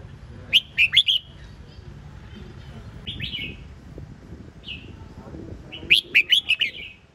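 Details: Red-whiskered bulbul giving short bright whistled phrases: a quick burst of three or four rising-falling notes, a few isolated slurred notes, then another lively burst near the end; faint low background hum throughout.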